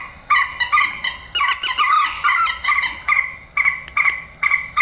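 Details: Screeching 'trích ré' call of a grey-headed swamphen, played at night as a net lure; nasal honking notes repeated steadily, more than two per second, with a denser rattling flurry midway.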